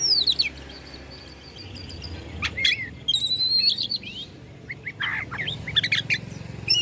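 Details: Oriental magpie-robin song meant to provoke rival magpie-robins, Bandung, Indonesia: descending high whistles at the start, a ladder-like chattering phrase, then scattered chips and short buzzy notes over faint low hum.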